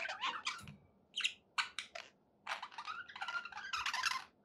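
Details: Budgerigars kept as pets, in a happy mood, uttering separate short chirps and scratchy squeaks in spaced bursts, then a busier run of warbled notes, over a soft low room hum.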